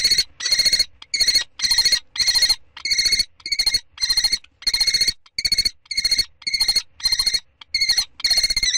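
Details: Common kestrel calling during the second and third prey transfers on 2 May 2013: harsh, trilled, whining calls with layered overtones, repeated in steady bursts of about half a second, nearly two per second, with short gaps between them.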